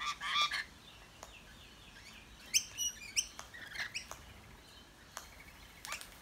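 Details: Rainbow lorikeets visiting a backyard in Australia give harsh, screechy shrieks in scattered bursts, several short rasping notes over about six seconds, with a few sharp clicks and quiet gaps between; they call while eating.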